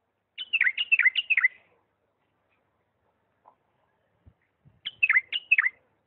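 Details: Refined lisanat-style song of a bulbul from Diyala: a run of four or five clear, dropping whistled notes, a pause with soft taps, then a shorter repeat of the same pattern.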